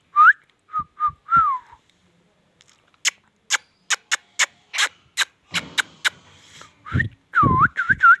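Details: An Indian ringneck parrot gives short rising and falling whistled syllables, then a long train of crisp clicks, then loud swooping, looping speech-like calls at the end.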